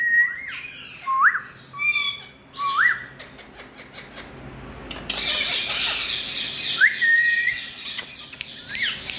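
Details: Talking parrot giving a string of rising, upslurred squawks, some harsh and buzzy, separated by short pauses, with a burst of broadband hiss midway and a low steady hum underneath.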